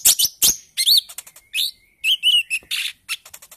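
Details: Bali myna song from a group chorus recording, early-stage 'ijoan trotol' style, used to lure birds into singing: whistled rising and falling notes mixed with harsh chirps and a thin sustained tone.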